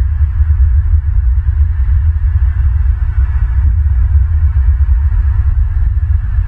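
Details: A constant deep rumbling hum and pulsing drone fill the recording, and no animal voice is heard.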